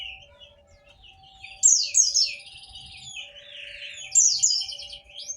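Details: Bright white-eye phrases of fast, high downward-slurred notes, one burst early and another near the end, with quieter twittering between and a faint hum. Used to coax white-eyes that have gone quiet.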